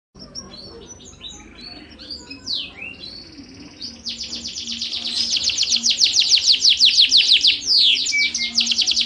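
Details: Yorkshire canary in long, continuous song used to tutor competition birds: soft scattered whistles and slurred notes, then from about four seconds a loud, rapid run of high, downward-sweeping trilled notes, with a faint low hum beneath.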